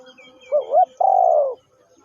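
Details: A single spotted dove phrase: a wavering double-humped coo, then a sustained mellow coo easing downward. Faint high chirps from other birds come before and after.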